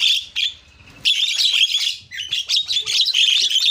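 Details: Javan myna varied song used as a lure to provoke other mynas: continuous dense scratchy chattering with shrill whistled squeaks, briefly pausing after a short opening call.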